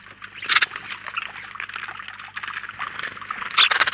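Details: House sparrows, a flock of about nineteen together at a feeder in Collado Villalba, Spain, give dense overlapping chirps throughout, with louder bursts near the start and the end over a low steady hum.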